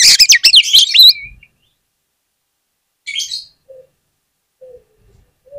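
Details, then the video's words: Oriental magpie-robin song used as a lure for other magpie-robins: a dense opening burst of rapid high notes ending in a short whistle, then a brief scratchy phrase and a few faint low notes. "PANCINGAN KACER ANTI GAGAL !! KACER APAPUN DI JAMIN LANGSUNG NGOBRA ON NGUNCI"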